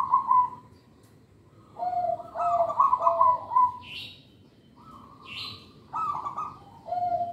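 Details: Local zebra dove singing. The recording serves to lure young birds and to prompt lazy doves to sing. Phrases of purring, trilled cooing separated by pauses, with two short hissy noises between phrases.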